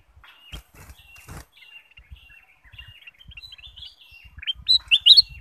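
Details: Bulbul song meant as a lure for other birds: a thin, steady chattering warble of short notes that builds into several loud, bright whistles near the end.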